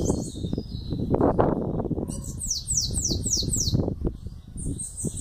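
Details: Chow call from a young sayaca tanager aged 11 months: high thin notes, a rapid string of five descending squeaky slurs midway, and another brief high burst at the end, under heavy low background clatter.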